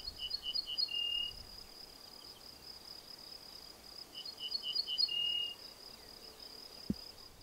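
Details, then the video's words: Ortolan bunting delivering two ringing strophes several seconds apart, each a series of short repeated notes ending in a longer, lower note, against a continuous high-pitched cricket-like buzz. "Ortolan śpiew"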